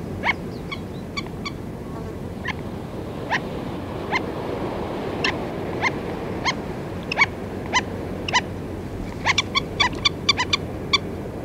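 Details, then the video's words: Close-up calls from a feeding flock of black-necked stilts: scattered single sharp yapping notes at uneven intervals, bunching into quicker bursts near the end, against a constant low rumbling background. "Black Necked Stilt / Black-Necked Stilt. Calls CU From A Feeding Flock."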